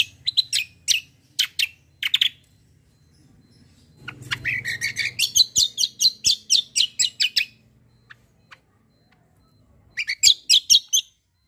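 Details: Kecial kombo white-eye singing actively, a tutor song: separated sharp chirps, a pause, then a long rapid chatter of high descending notes, and a final burst of sharp notes after a gap.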